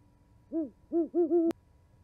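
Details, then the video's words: Owls hooting back and forth at an osprey nest in Charlo, Montana, one January night in 2020: three soft, deep hoots, the last two close together, cut off by a sharp click. "Hooties chatting"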